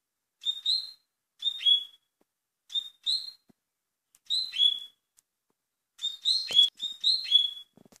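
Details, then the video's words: A Double-collared seedeater (coleiro) sings quick, bright two-part phrases with a slurred whistled ending, repeated about every second and a half in a clear, high voice. "COLEIRO Velocista"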